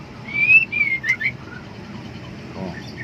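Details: Female white-rumped shama in breeding heat, calling for a male: one brief burst of bright rising whistles, then quiet with a low background hum.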